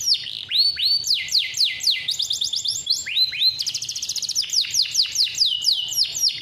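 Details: Male canary in captivity, kept to tutor young canaries and spur quiet birds, singing a long persistent roll: loud downward-sweeping whistles alternating with rapid buzzy trills, phrases changing every second or so, faint low hum beneath.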